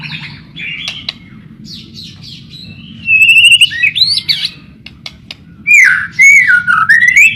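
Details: White-rumped shama song used as a tutor recording to lure other shamas into singing: varied whistled phrases, some pure rising and falling slurs, others sharp chips and trills, delivered in bursts over a steady low hum.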